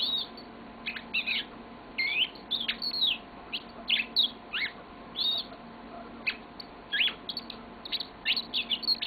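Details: Caged yellow-fronted canary singing at length indoors: clusters of quick high chirps and short twisting whistles, bursts every second or so with brief pauses, lively and sweet, over a low constant hum.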